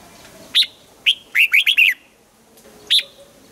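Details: Red-whiskered bulbul morning song used for voice training in the double-note old-forest style. Two single whistled notes lead into a lively run of five bouncing, upslurred notes, then another lone note after a short pause.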